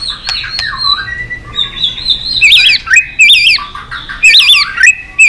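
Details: White-rumped shama singing excitedly with tail-flicking, in a many-voiced song: long high whistles sliding downward, then loud warbled, looping whistled phrases repeated about every second.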